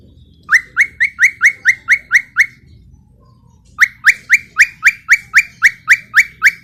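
A cockatiel gives loud, rising whistled notes repeated rapidly in two bursts.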